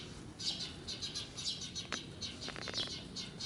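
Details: Alarmed parent sparrow guarding a fledgling perched on a bicycle in an apartment parking area, moving busily while drawing off a natural enemy; high, rapid chittering chirps in short clusters, with a few clicks and knocks.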